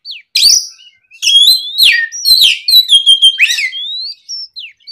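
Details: An oriental magpie-robin sings strongly in the afternoon as a lure meant to get young magpie-robins calling back. It gives sweeping whistles, downslurred notes and a fast run of short repeated chips.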